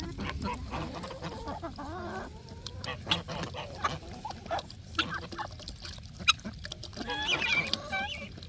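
Geese honk and gabble in a busy chorus of nasal, overlapping calls, some rising and falling, with a few sharper high notes near the end.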